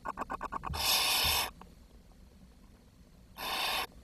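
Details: Barn owl nest with chicks on 10 June 2023, food supply insufficient for the whole brood. A rapid series of about seven clicks leads into a long, harsh hiss, followed later by a second, shorter hiss.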